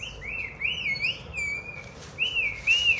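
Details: White-rumped shama singing while a child plays with it: a run of loud, rich, wavering whistled phrases, each rising and dipping, repeated about every half second with a short pause midway.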